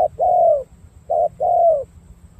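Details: Spotted dove from Cà Mau with dark purple legs, giving its well-patterned đồng gù cooing: a short low note, then a long mellow coo sliding downward, the pair heard twice.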